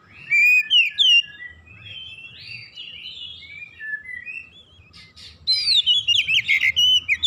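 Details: Tutor song of an oriental magpie-robin, meant for training untrained birds: bright whistles and sweeping slurred notes open, softer varied warbling follows, and a dense burst of loud, quickly repeated whistled notes closes the passage.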